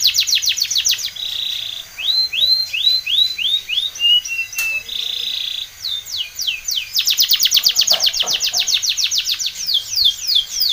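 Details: Spanish Timbrado canary in powerful training song, alternating rolling rattles, series of arched whistled notes and long fast runs of sharp downward sweeps, with an occasional click.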